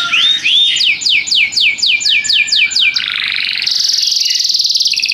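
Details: Lively canary song: a couple of bent whistles, a run of about ten quick downward sweeps, then a long rolling buzzy trill that rises slightly and holds steady to the end.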